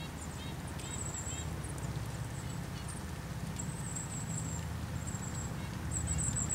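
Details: Very high, thin, ringing notes from a Golden-crowned kinglet in short bursts at Wolf Mountain Overlook, Blue Ridge Parkway near Asheville, North Carolina, with a Red-breasted Nuthatch present, over a steady low rumble and background noise.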